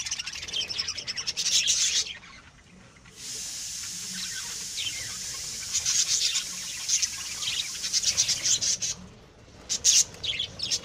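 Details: Lovebirds kept and bred indoors, a steady wash of thin, high twittering with scattered sharp chirps, broken by two short silences, then a run of loud clipped calls toward the end.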